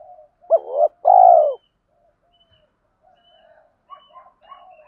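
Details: A spotted dove call meant to excite other doves: one clear phrase of a clipped double note and a rolling falling coo, then faint soft chirps and murmurs.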